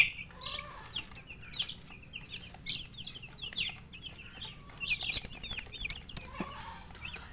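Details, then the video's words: A group of baby chicks cheeping continuously: dense, soft high peeps of varied shape from many birds, with a faint lower call and light background noise. "Baby "Chicks Chirping" Sound"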